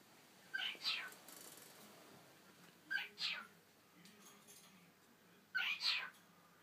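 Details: A pet cockatiel (Nymphicus hollandicus) imitates its owners' sneezes, giving three quick sneezing bursts, each a pair of sharp hissy puffs, and bobs its head too.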